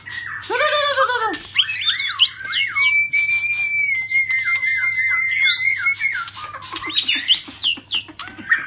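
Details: White-rumped shama of the shrimp-tail form in rít thuốc lào song: a nasal wavering burst, then bright looping whistles and a long steady whistled tone of about three seconds, followed by more looping phrases; low hum behind.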